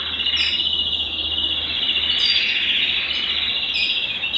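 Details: Belgian canary song meant to stimulate males and bring females into breeding condition: a steady, dense high trill held almost unbroken for the whole stretch, with brief brighter flourishes above it near the start and middle.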